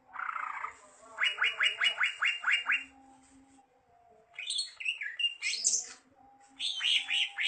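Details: Greater green leafbird song: a quick series of descending slurred notes, then a pause and a jumble of varied chattering and whistled phrases, over a faint low hum.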